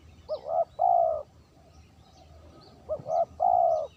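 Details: Spotted dove lure call, clean. Two phrases about 2.5 seconds apart, each a short stammered coo followed by a long, level, mellow coo, with faint distant bird chirps in the background.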